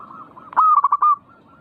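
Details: Zebra dove song used to spur other doves to sing: one loud phrase of a sharp opening and four quick rolling coo pulses ending in a held note, faint cooing around it.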